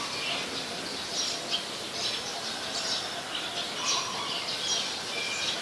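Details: Faint, high, breathy contact chirps from scaly-breasted munias in Ubon Ratchathani, Thailand, 7 January 2020, scattered irregularly through the clip over continuous hiss.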